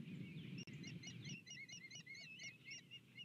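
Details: Osprey pair flying in together to their nest, filmed by nest camera on 12 February 2020 around 07:50 in the morning; a run of short whistled, upslurred chirps repeated rapidly in a steady series over low background rumble.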